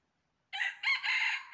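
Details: Red junglefowl crow during trapping on 20 January 2023: a loud, hoarse, broken phrase of three parts lasting about a second, after silence.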